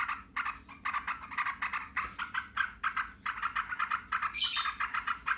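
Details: Yellow-vented bulbuls answering each other in noisy, continuous 'ngebren' chatter: harsh, buzzy bursts repeated rapidly over several seconds, with a brief high squeal near the end.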